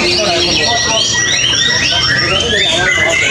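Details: A white-rumped shama, 'Tombak Sakti', performing at the Masterpiece Arena competition field on a Thursday morning in July, sings rapid, rich whistled phrases sweeping up and down, several per second, among other birds and murmuring voices.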